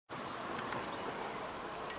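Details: European serin singing a high, dense, sizzling jingle of rapid tinkling notes that runs unbroken through the whole short stretch, with no other clear sounds.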